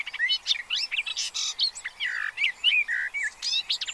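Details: Pied avocets with chicks at an observatory in the Séné Nature Reserve, Gulf of Morbihan, France, on 30 April 2023: dense overlapping sharp high chirps and slurred whistles, rapid and irregular, several birds calling together.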